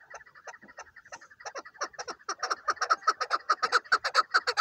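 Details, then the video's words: Chukar partridge, a hunting chukar, with hesitant quiet clucks that quicken and grow louder into a steady, harsh chuk-chuk series near two and a half notes per second. "shekari chakor"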